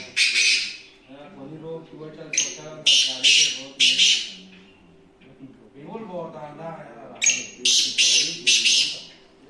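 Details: Black francolin, known locally as kala teetar, giving harsh, grating high bursts in two phrased series of quick repeated notes, separated by pauses, with a man's voice faintly underneath.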